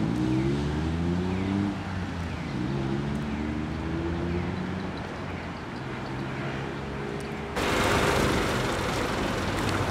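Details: A passing engine drones with shifting tones, then broad roaring noise takes over.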